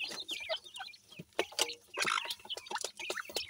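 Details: Grey francolin (partridge) chicks feeding together, giving a busy jumble of thin, high, down-slurred cheeps in rapid irregular bursts, with a few soft lower clucks and scratchy rustling underneath.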